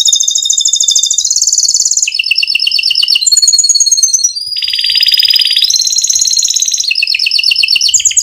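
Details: Canary in lively, long rolling song, a tutor recording to get other canaries singing: loud continuous trills in blocks of one to two seconds, each at a different pitch, some whistled and clear, others dense and buzzy.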